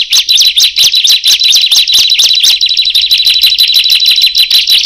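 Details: Bar-winged prinia calling, with others joining in after it called: a loud, high, rapid series of sharp chirped notes, densely repeated about twice a second and continuing without pause throughout.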